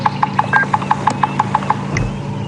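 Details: Bearded woodpeckers drum in a territorial drum-off at Djuma Game Reserve on a morning drive, 25 November 2015. About ten hollow, evenly spaced knocks come at roughly six a second, then stop, over a steady low engine hum.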